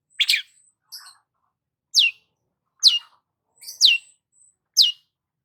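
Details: Actively singing long-tailed shrike, a lure recording for stressed shrikes: sharp downslurred squeaky notes repeated roughly once a second, mixed with softer scratchy chatters and a brief thin whistle between them.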